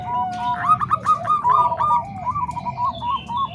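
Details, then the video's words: Zebra doves in a Bangkok and Cemani Kolbuntet voice mix for training other doves: a held coo opens a quick run of bubbling, looping notes, then a second, lower trilled phrase follows, with faint hum behind. "Suara Kombinasi Perkutut Bangkok Dan Cemani Kolbuntet|Untuk Masteran Semua Jenis Perkutut"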